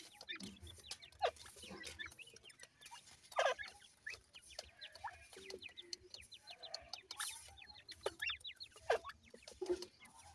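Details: Feeding grey francolin chicks keep up a steady scatter of high, falling peeps, several birds overlapping, broken by hard clicks and knocks from pecking at food.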